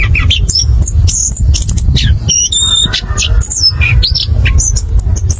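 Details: Orange-headed thrush pouring out ngerol ngeplong song, used as a lure so birds start singing quickly. Dense, jumbled high chirps, one brief steady whistled note and slurred phrases, with a low background rumble throughout.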